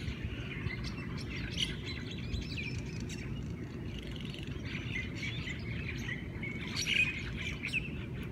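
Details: Hawaiian morning bird chorus in Hawaii: scattered chirps and thin whistles from several birds, with a brighter burst of calls near the end, over a soft low rumble.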